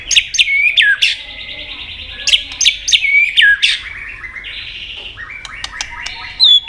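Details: White-rumped shama singing competitively in many voices: sharp whip-like notes with downward sweeps repeat over a sustained buzzy trill, followed by stepped whistled phrases and a final sweeping note.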